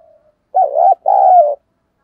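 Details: Single two-part coo of a spotted dove, short throaty opening then a longer smooth coo, after a faint soft note; used to lure wild doves in quickly.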